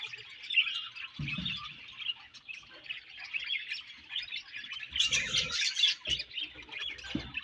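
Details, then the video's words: Colony of budgerigars chattering nonstop: many overlapping high, scratchy warbles and chirps forming a continuous chorus, with occasional brief low thuds and a louder burst of squawks near the end. "Budgies Colony Chirping Sounds"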